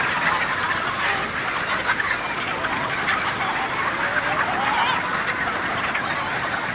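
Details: Nearly thirty thousand chickens and roosters on a farm rushing out at once for feeding time: a dense, continuous din of overlapping clucks and squawks with no single caller standing out.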